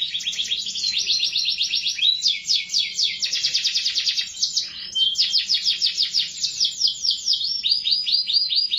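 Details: Canary singing without a break, a chain of fast repeated trill phrases, some rising and some falling, delivered as bright rattling rolls.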